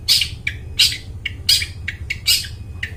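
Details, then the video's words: Long-tailed shrike in strong voice, a lure for wild birds in the forest: loud harsh squawks alternating with shorter lower notes, about three per second, low hum beneath. "cendet gacor, suara plong bening cocok buat pikat burung dihutan"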